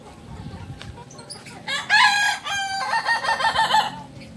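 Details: Kukuak Balenggek rooster, original stock from Solok, West Sumatra, crowing loudly: a long harmonic opening note followed by a rapid run of stepped, rolling syllables lasting over two seconds, against a quiet low background hum.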